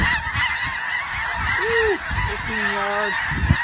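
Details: Snow geese clamoring in a crowd: a dense background of high honks, with a few lower, drawn-out wavering calls near the end, and some wind noise.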